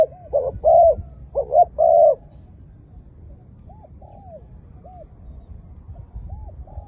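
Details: Malay zebra dove giving a brief burst of clipped, mid-pitched coos in the first two seconds, then fading to faint, soft, arched coo notes against steady low background noise.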